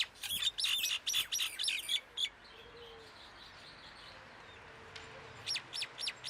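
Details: A common myna (Acridotheres tristis) in Amman, Jordan gives a fast run of harsh, chattering notes for two seconds, then a brief pause before a few sharp, repeated chirps.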